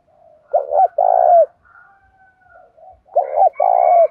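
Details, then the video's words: Spotted dove singing in the đồng pha style, used to urge wild-caught doves to coo and fight: a short stuttered double note, then a long burry coo, given twice. Faint higher chirps from another bird sound between the phrases. "Chim cu gáy ĐỒNG PHA thúc đấu rút bổi"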